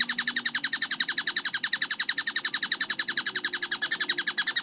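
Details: Kingfisher known as tengkek buto, recorded as a bird-training sound: a regular string of crisp, high repeated notes, close to four each second, uniform in pitch and loudness, with a faint low tone underneath.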